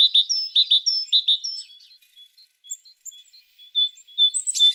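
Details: A tit sings a rapid burst of clear, high chirps and slurred whistles, then fainter scattered thin notes, ending in a short sharp high note.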